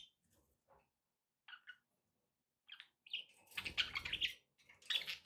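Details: Pet budgies in a recording with background noise for relaxation: a few soft, scattered chirps at first, then a dense, loud stretch of raspy warbling and squeaky notes toward the end.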